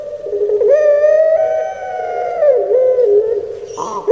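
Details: Pet Barbary dove of the Javanese pelung type, singing in "crying" voice: a continuous mid-pitched coo that steps up, holds with bright overtones, then wobbles down in small dips, ending with a brief higher rise.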